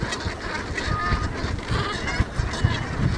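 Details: Flock of geese gathered in a meadow on Ameland, honking continuously in a busy, overlapping chatter, with gusty wind buffeting the microphone.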